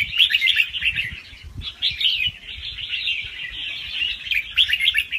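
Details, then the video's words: A young wild red-whiskered bulbul pours out a fast, soft-phrased song with a doubled trick; quick tumbling chirps in bursts, a brief dip near the middle, faint low background thuds. "ลูกนกกรงหัวจุกป่าคัดหัวปากเบาๆ รอบเร็ว มีลักเบิ้ล ใว้เปิดกระตุ้นนกฟังนกคึก"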